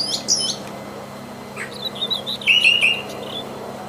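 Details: Wild Brown Thrasher singing freely: a high phrase near the start, a fainter one mid-clip, then a bright, scratchy phrase late on, set against a steady low hum.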